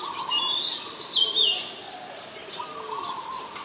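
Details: Oriental magpie-robin song, Ubon Ratchathani, Thailand, 14 October 2021, recorded with a Nikon P1000. One short, high whistled phrase that rises and then drops, followed by lower background chirping.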